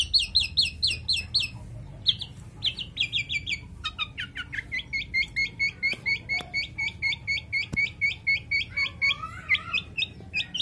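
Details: Kept male long-tailed shrike in breeding condition sings a busy, varied song: runs of quick repeated high chips and whistled notes changing type every second or two, with a squeaky warble near the end.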